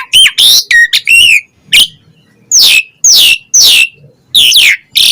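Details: Asian pied starling singing 'isian': opening clipped whistles and rasps, then loud harsh downward-slurring squawks repeated roughly every half second.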